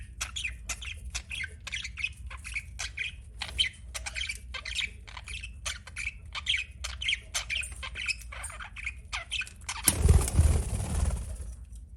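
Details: Budgerigar chirping in quick, evenly spaced short squeaks for most of the recording, then a loud broad rushing noise covers the last couple of seconds.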